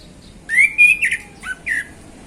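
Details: Relaxed afternoon 'ngeplong' song from a male orange-headed thrush: a loud, rich whistled phrase that climbs, then several shorter slurred notes, one dipping lower, each sharp-edged, with a quiet steady hum behind.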